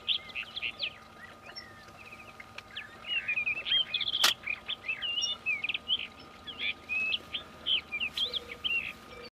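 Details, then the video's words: Juvenile Rufous-tailed rock thrush calling quietly: a long sequence of scratchy, varied high chirps and short warbled notes, one sharp click, over a faint steady hum in open mountain surroundings. "Juvenil de Roquero rojo (Monticola saxatilis)"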